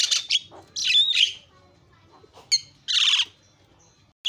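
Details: Javan myna song used to provoke other mynas, delivered in separate bursts: harsh screechy phrases with a slurred whistle, a long quiet gap, then a sharp note and a loud rasping squawk.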